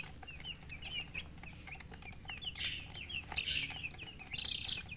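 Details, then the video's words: Several baby chicks chirp continuously, their sharp high peeps coming in quick irregular strings, some slurred downward, with a few louder piercing notes over a steady low hum. "Baby "Chicks Chirping" Sound"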